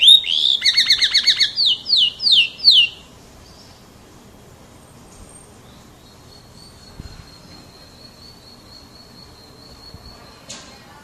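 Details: Canary, an F1 bird, delivering a burst of rapid, repeated chirping notes for about three seconds, followed by a long faint steady whistle and quiet background.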